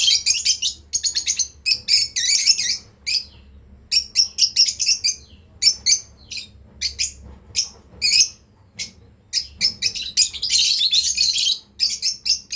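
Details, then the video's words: Nearly continuous rapid chirping from a breeding pair of lovebirds: quick shrill buzzy notes in fast runs for over twelve seconds, with a denser chatter toward the end. "Lovebirds chirping sound"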